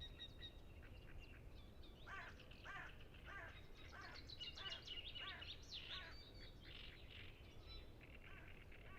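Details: Great reed warblers singing on the shores of Lake Peipus, Ema-Joe Suursoo Natural Reserve, recorded with Zoom F6 and Sennheiser MKH 8040; loud rasping, croaking strokes roughly twice a second, with overlapping squeaky notes and low background noise.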